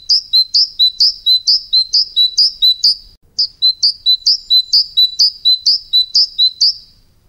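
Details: Tits calling: a rapid, regular series of high two-part chirps, a sharp upper note dropping to a lower one, repeated about twice a second, with a brief gap near the middle.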